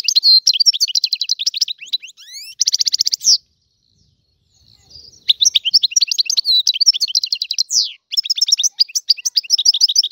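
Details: Free-living Algerian European goldfinch in full song: rapid, liquid twittering phrases with trilled buzzy bursts and tinkling notes, broken by a few seconds of silence midway before the rapid twitter resumes.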